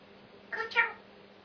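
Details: Grey parrot kept as a pet, recorded on 26 November 2007, voicing one brief two-syllable word-like phrase, the second syllable louder and higher, against a quiet background.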